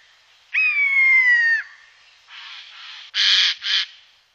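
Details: Eurasian jay by day: a drawn-out, nasal, mewing note lasting about a second, then a softer rasp and two loud, harsh, scratchy bursts close together.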